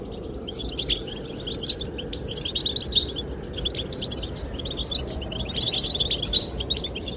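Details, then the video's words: Wind-swept recording of a goldfinch singing to attract the female: continuous, fast, tinkling twitter with sharp high chirps and rolling trills in clustered phrases. "Sound of the wind and the chirping of goldfinches relaxes"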